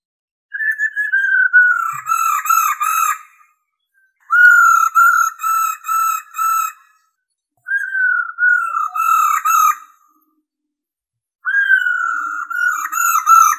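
A female Black-throated Laughingthrush gives four bursts of rolling, wavering whistles, each lasting two to three seconds and separated by short silences.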